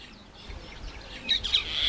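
A common myna sings a brief run of high chattering and squeaky whistled notes that grows louder and harsher toward the end.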